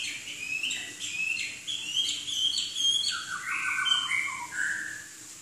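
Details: Chinese hwamei (Garrulax canorus), a singing bird that can mimic other birds, gives a loud, rich run of varied whistles and chattering phrases, rising and falling without pause, over a faint low hum.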